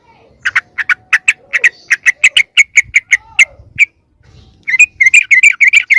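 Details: Yellow-vented bulbul lure call meant to attract other wild bulbuls: a fast run of sharp, harsh chips repeated steadily for about three seconds, a brief gap, then a denser, chattering burst of scratchy notes.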